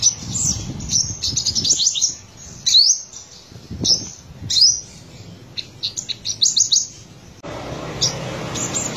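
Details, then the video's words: Olive-backed sunbird, buruensis race from Buru island in Maluku, black-breasted, in trotolan song: rapid clusters of high thin chips and bright rising whistles, then pauses, then more fast runs of notes, with a low rumble in places. "Sogok Ontong/Kolibri Sriganti Trotolan Dada Hitam gacor"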